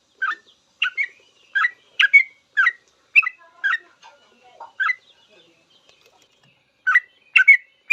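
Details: Sooty-headed bulbul (trucukan) singing a long full ropel song, used as a master recording for cage birds to learn: bubbly, liquid phrases of two- and three-note whistles, repeated in quick bursts with short pauses.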